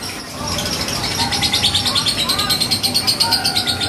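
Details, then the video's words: Three-month-old lovebird, already a contest winner, chatters in a fast, shrill stream of high squeaky notes, about three a second, with a few lower whistled slurs mixed in; faint voices in the background. "BURUNG LOVE BIRD PAUD GACOR"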